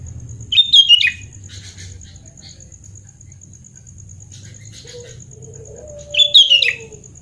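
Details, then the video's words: Sooty-headed bulbul singing vigorously, recorded for training bulbuls that have stopped singing: two short bubbly, warbling phrases, one near the start and one near the end, separated by quiet. A steady high electrical whine runs throughout. "KUTILANG GACOR SUARA ASLI ~ TERAPI KUTILANG MACET BUNYI"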